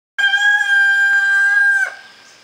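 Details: A rooster crowing: one loud, sustained, steady-pitched harmonic crow lasting about a second and a half, ending in a brief rough drop, with no other sounds.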